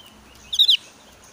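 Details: A highly excited Javan grey-throated white-eye in breeding condition gives one quick, high, twittering quarter-second phrase of sharp chirps, a call challenging a rival, over quiet background hiss.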